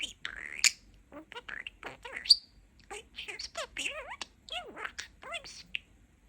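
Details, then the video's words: Pet budgerigar, a talking parakeet, chattering in a rapid stream of varied chirps, squeaks and wavering warbled notes, some slurred like mimicked speech, at a quiet indoor level. "Talking Parakeet"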